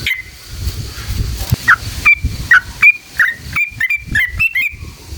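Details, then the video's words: Sooty-headed bulbul song of a long rolling style, played to goad other bulbuls into singing; after a quiet, noisy start, short bright chirped notes come in quick irregular succession, then tighten into a run. "SUARA trucukan gacor JITU NGALAS ROPEL PANJANG buat PANCINGAN agar burung trucuk gacor EMOSI"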